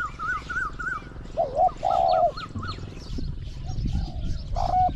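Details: Zebra dove in a Thai decoy trapping contest for wild doves. Two low rolling coos come midway, with another at the end. Wavy chirping from another bird comes first, and there are faint high calls and background hum.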